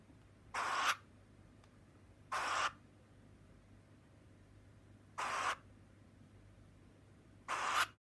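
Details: A captive-bred burrowing owl, indoors and annoyed when its head rub stops, gives four harsh, breathy hissing rasps, each about a third of a second long, spaced two to three seconds apart in a quiet room.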